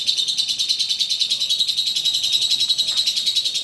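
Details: A contest-champion lovebird, said to ngekek for up to three minutes, pours out a long, unbroken ngekek: rapid, shrill chattering notes around three to four per second, continuous and high-pitched throughout.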